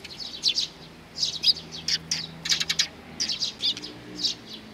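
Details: Eurasian tree sparrows approaching to be fed at Mizukami Bridge, 4 June 2020: clusters of loud, high chirps and twitters from a few birds, separated by short gaps, with a faint low drone underneath.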